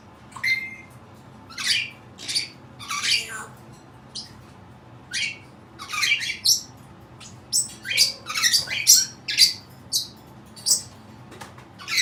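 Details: Indoor pet Cape parrot making odd sounds, a long string of sharp grating squawks and brief chirps, growing denser and faster toward the end.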